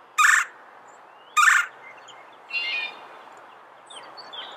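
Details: Red-bellied woodpecker giving two loud, harsh, rolling calls a little over a second apart, each short and buzzy, with faint chirps of other birds afterwards.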